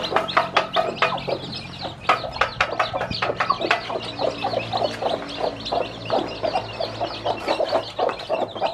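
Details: Hen teaching her many hatched chicks to eat; quick repeated clucks and chirping chicks fill the scene, with frequent sharp pecking taps and a faint background hum.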